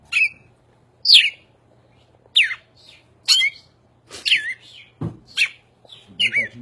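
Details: Cardinal singing while perched on a person's shoulder: clear, sharply down-slurred whistles repeated about once a second, seven notes in all, with one low thump midway and faint room noise.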